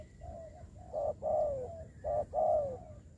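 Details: Spotted dove kept as a ground decoy bird for trapping in Dong Nai, Vietnam, during the Covid season. It gives low, mellow coos in a repeated phrase of a short note and a longer falling note, over steady background hum.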